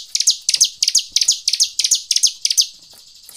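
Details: Bar-winged prinia lure song: steady series of doubled high chips, each pair falling in pitch, repeated about three times per second before stopping.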